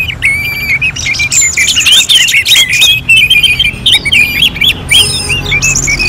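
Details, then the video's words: Orange-headed thrush song arranged like a singing-contest simulation: dense, fast run of varied whistles, rising slurs and short chirps, mostly high-pitched, almost without pauses, with extra overlapping high notes above. "KICAUAN ANIS MERAH"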